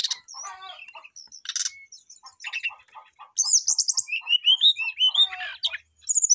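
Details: A Brown-chested jungle flycatcher sings lively, varied phrases to call a rival: chattering notes, buzzy bursts and rising whistled trills growing louder, accompanied by a steady low ticking pulse.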